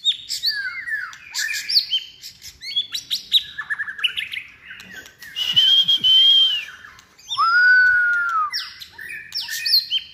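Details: Caged white-rumped shama in its third season, trained for singing contests, delivering a varied whistled song: short rising and falling notes, buzzy bursts, then long clear sustained whistles near the middle and end, with brief pauses between phrases.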